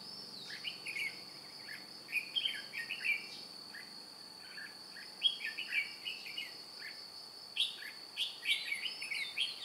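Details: Decoy red-whiskered bulbul with white cheeks, recorded during trapping on 2 July 2018 while flapping wings and tail: lively runs of quick, bubbling, warbled phrases repeated through the recording against a constant shrill insect hum.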